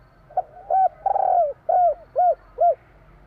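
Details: Spotted dove song, the three-note 'kur 3' style of the Javanese tekukur: a soft lead-in, a rough drawn-out coo sliding down, then three clear, evenly spaced, rounded coos.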